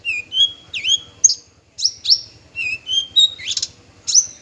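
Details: Varied song of a male bushlark, parva form: rising and falling whistles mixed with buzzy high bursts, notes coming several per second with a short gap early on, over a faint low hum.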